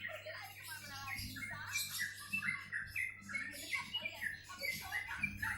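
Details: A busy tangle of chirps, squeaks and squawks from several birds, rising and falling in uneven bursts over a faint low hum, with scattered rustling.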